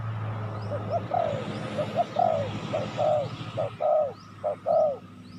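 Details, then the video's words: Spotted dove calling to lure wild doves. A run of short and longer falling coos becomes clearer toward the end. A constant low engine-like hum and faint high bird chirps run underneath. "Chim cu gáy chiêu kích mồi tập bổi nhanh nổi hiệu quả"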